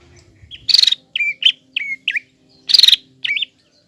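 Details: Green leafbird in full song, used to provoke a young spotted leafbird into an angry, fighting mood; loud whistled notes bending down and up, alternating with harsh buzzy rattling bursts, in clear phrases with short pauses.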